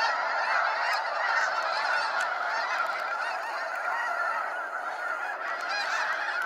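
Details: Continuous clamour from a mass of snow geese leaving at sunset, Sacramento National Wildlife Refuge: countless short, nasal honks run together into one unbroken, fairly loud wall of sound.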